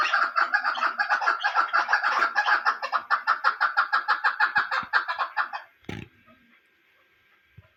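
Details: Hunting female chukar calling in a rapid run of short, clucking chuk notes, about three per second, for nearly six seconds, ending with a sharp knock and then near silence.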